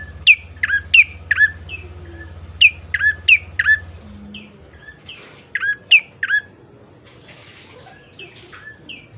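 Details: Bar-winged prinia lure song, sharp squeaky notes dropping steeply in pitch, given in spaced clusters of two or three, with a steady low electrical hum under the first half.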